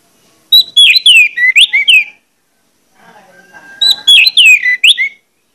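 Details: Orange-headed thrush sings a loud, persistent lure song meant to provoke other males into singing: two dense bursts of varied, sliding whistles and chirps, each about one and a half seconds long, separated by a short pause.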